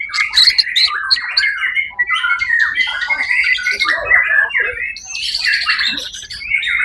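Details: A white-rumped shama, first-place winner at a songbird competition held 1 October 2023 at the Suara Agung event, pours out a dense run of sharp chips, chattering notes and bright whistled trills, some overlapping.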